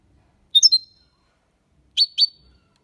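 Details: European goldfinch song in the Malaga copy style, used as a tutor recording to stimulate young birds to learn singing; two short bursts of bright, high twittering notes about 1.4 seconds apart, in otherwise quiet surroundings.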